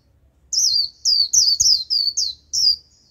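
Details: Decoy Japanese white-eye calling in wild birds: a lively series of seven high, downslurred chirping phrases in quick succession, clear and loud over a faint low background hum.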